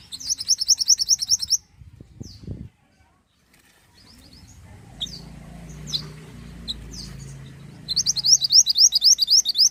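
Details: Pied bushchat singing vigorously: a fast, high, repeated trill at the start and another at the end, with scattered thin high notes, a few low knocks and a brief silent gap between them.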